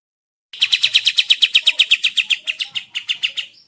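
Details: Olive-winged bulbul song used as a training recording for cage birds, delivered as a fast series of about twenty bright chirped notes, evenly spaced, slowing and softening slightly toward the end before a brief high whistle.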